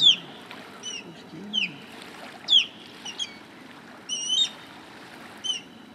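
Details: American Oystercatcher in Florida on 8 December 2020 gives loud, piercing, down-slurred whistles, about one each second, over a low rumble of surf.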